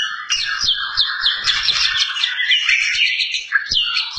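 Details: White-rumped shama (murai batu) singing a rapid, rich stream of high whistles and downslurred notes, tumbling and varied without pause, with faint low knocks beneath.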